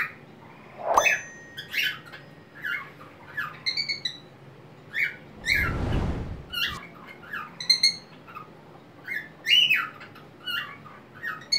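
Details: Whiteface cockatiel singing on a homemade swing in a small crate, indoors: scattered short chirps, whistles and squawky notes across eleven seconds, with one brief loud thump or rustle midway.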